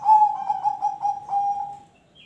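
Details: Cooing song of a zebra dove, played to coax other birds into song: a string of rhythmic pulsed notes at a steady pitch, trailing into a long fading coo; a faint higher chirp follows at the end.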